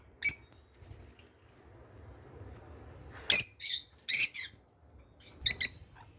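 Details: Lutino opaline lovebirds kept in an aviary give loud, shrill squawking chirps in scattered bursts, some doubled, separated by quiet gaps with a low rumble.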